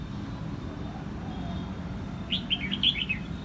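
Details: A Red-whiskered bulbul in Quang Nam, Vietnam sings a brief, bright phrase of six or seven quick slurred chirps rising and falling, over a low background rumble.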